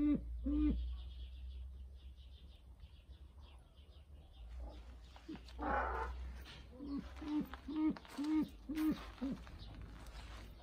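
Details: A brown eared pheasant gives a pair of low croaks, then after a pause a quick run of about six similar short, hoarse notes, over a steady low hum.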